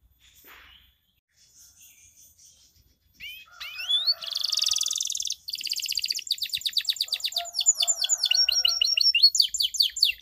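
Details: A canary, offered as a lure to get silent canaries singing, gives loud, high "cuit cuit" chirps that run into fast trills and long rattling rolls, the phrases changing every second or two; no other sounds stand out.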